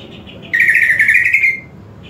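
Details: Greater green leafbird in a master recording for training other birds to sing: a single loud, rich, buzzy trilled phrase of about one second, slightly rising then fading, against a low steady hum.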